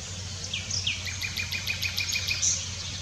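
Common Nightingale singing: a few sharp high notes, then a rapid run of repeated clicking chips, with a low steady hum underneath.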